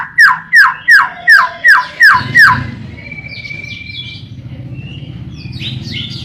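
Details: White-rumped shama song played as a lure to set shamas singing: six loud down-slurred whistled notes in quick succession, then fainter thin whistles over a low hum.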